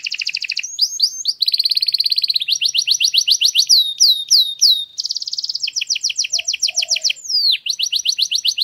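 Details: Canary in a garden pouring out a varied song: buzzy rolls, rapid staccato trills, fast chattering note series and occasional sweeping slurs, continuous and loud throughout.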